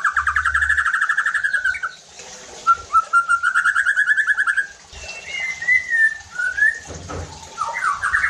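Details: White-rumped shama lure song meant to stir other shamas to sing hard: long trilled whistled phrases and rising slurs, with low thumping sounds in the background.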